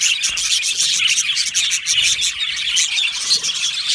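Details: Yellow male budgies in a colony aviary give a loud, dense burst of shrill chirps and bright tweets, many voices overlapping in a rapid, rhythmic chatter throughout.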